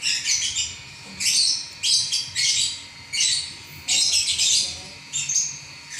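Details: Lovebird in a continuous non-stop singing session, giving dense bursts of shrill, buzzy chirps about every half second to second, each burst packed with rapid high squeaks.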